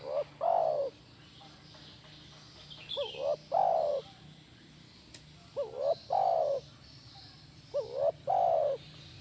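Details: Spotted dove calling, played to get a caged bird to respond. Phrases repeat several times: quick double hooked notes followed by a drawn-out mellow coo, with a faint click midway and a constant thin high whine behind.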